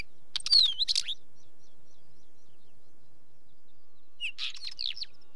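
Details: Wheatear calling: a scratchy burst mixed with a high, wavering whistled phrase, then a long silent pause before a second short rattly, chattering burst near the end.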